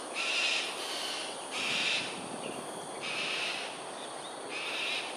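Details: Morning flight display by cockatoos at Sungei Ulu Pandan, Singapore, 13 January 2022, 7.43am. Four loud, rasping screeches, each about half a second long, are spaced about one and a half seconds apart over constant hiss.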